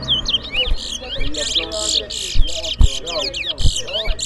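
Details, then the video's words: ['Competing Towa Towa birds in a whistling contest: fast, chattering high trills and looping whistled phrases repeat in short bursts, with dull thuds and a low droning hum underneath.'] "Bella Towa Towa Bird Whistling Competition! Who Whistles Best?"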